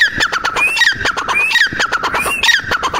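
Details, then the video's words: Female grey francolin calls, rather blurred and dense. Three rising whistles stand out over continuous scratchy, overlapping chatter at moderate volume. "Teetar Ki Awaz female"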